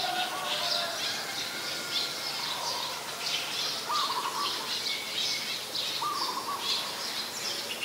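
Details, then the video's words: Ashy woodswallows in Ubon Ratchathani, Thailand, on 17 December 2019 give a steady stream of harsh, high chattering notes in quick bursts, with a few lower burry notes now and then. "นกแอ่นพง (Ashy Woodswallow)"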